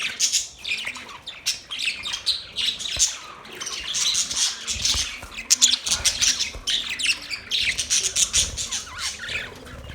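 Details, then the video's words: Busy budgerigar chatter with sharp squawks and rapid twittering, loudness rising and falling in waves, and a few soft thuds underneath. "Beautiful chirping sound"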